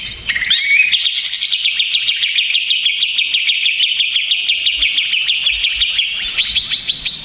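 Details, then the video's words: Agitated greater green leafbird lure song: an upward-swept whistle opens a long, rapid, evenly pulsed high chatter, rolling on continuously with a slight rise in pitch toward the end. "SUARA CUCAK IJO RIBUT !!! CUCAK IJO STRES, MACET BUNYI, CAK IJO BAHAN LANGSUNG NYAUT BOCORRR."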